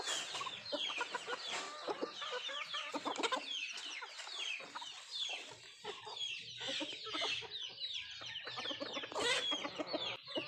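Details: Country chickens (nattu kozhi) while feeding; dense, noisy chirping and clucking from many birds, with frequent sharp pecks and a brief quieter gap midway.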